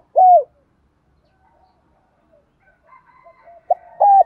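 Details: A decoy spotted dove calls its flock in the morning. A single arched coo is followed by a pause with faint distant cooing, then two short coos.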